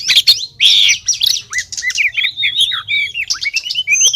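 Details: Female Oriental magpie-robin calling for a male, played as a lure: opens with harsh buzzy rasps, then a quick chain of short looping whistled chirps and squeaky notes, varied and continuous.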